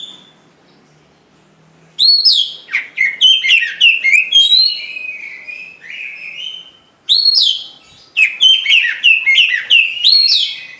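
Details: Oriental magpie-robin in full song: a rich, varied stream of loud whistles, sweeping slurs and sharp chips, delivered in two long bursts separated by a brief pause, after two quiet seconds at the start.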